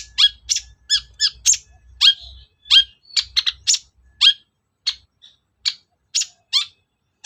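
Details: Long-tailed shrike song used as a lure to provoke captive shrikes into singing and replying: a rapid run of sharp, chattering high notes, some with falling tails, about seventeen bursts in seven seconds over a quiet background.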